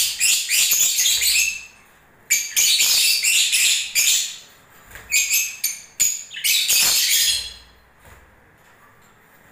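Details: Shrill, fast twittering chatter from lovebirds singing during the breeding season comes in several bursts with brief pauses, then fades into a quieter final stretch.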